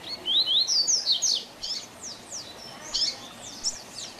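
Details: Tutor song in the Tui Tui Zel Zel style, sung by a double-collared seedeater for young birds to learn. It opens with a loud cascade of high rising and falling whistles, followed by softer spaced notes.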